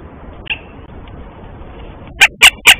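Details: Northern goshawk calling outside the nest at dawn in March, around a mating visit, picked up by a nest camera: a brief faint note, then three loud, harsh, rapid notes close together at the end.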